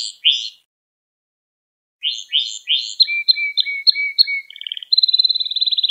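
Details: Canary singing a training song for young canaries; after a brief chirp and two seconds of silence, quick slurred notes lead into a long even whistled line and a fast buzzy trill.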